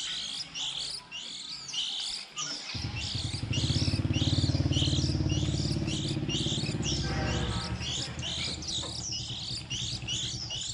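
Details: Early-season young white-eyes, 2020, birds newly out of the nest and recorded as a trap lure: rapid, high, squeaky twitters repeat steadily over a loud, low engine drone that begins a few seconds in.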